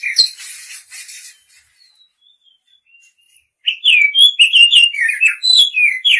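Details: Chirps of a female Oriental magpie-robin calling the male: a scratchy opening burst, a few thin faint whistles, then a lively sequence of slurred, descending chirps in quick succession.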